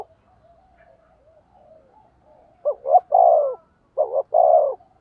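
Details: Spotted dove used as a lure for wild doves: soft distant cooing at first, then two loud phrases, each two quick notes and a drawn-out descending coo.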